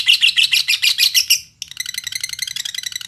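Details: Lovebird singing in Indonesia, used as a lure to provoke other lovebirds to sing: rapid bright chattering notes, about three per second in quick bursts, a brief pause, then a softer, faster trill of high chirps.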